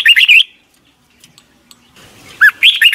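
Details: Red-whiskered bulbul song from Thailand, played to young caged birds each morning; a short warbled phrase, a second of near silence with faint ticks, then another bright whistled phrase beginning.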